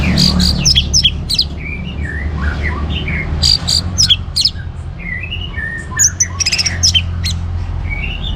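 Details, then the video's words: Chattering orange-headed thrush song used to trigger singing in other birds: rapid mixed phrases of high sharp chips, warbled slurs and short whistles, repeated in bursts over a continuous low drone. "ANIS MERAH Gacor Untuk Memancing Burung Jadi NGeplong Bahkan Teler"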